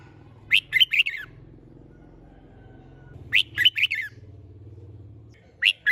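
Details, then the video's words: Competition-trained red-whiskered bulbul in a cage sings lively phrases of four or five sharp, warbling notes, repeated three times at a few seconds' interval over a low steady hum. "Chào Mào Hót - Kích Chim Hót Xung"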